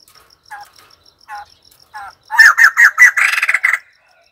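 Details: A white-crested laughingthrush gives three soft, spaced notes, then breaks into a loud, quick series of harsh cackles that blur into a rolling chatter before stopping.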